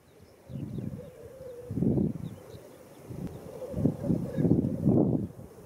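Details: Black grouse at the lek at World's End, Wales, in April 2017: a steady, bubbling, dove-like warble runs on and off, broken by low, rough bursts about once a second.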